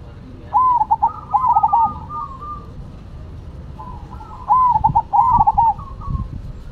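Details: Actively singing zebra doves of the Cemani and Silver varieties: two mellow rolling coo phrases, each a rising note and quick burbling coos, about four seconds apart, with quieter coos trailing after each.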